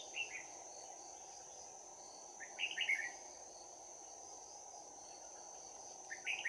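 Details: Trapping on 11 January 2019: a red-whiskered bulbul with a bell-like fighting voice, giving short bright warbled bursts at the start, middle and end, fairly soft beneath a persistent high insect whine and a low hiss.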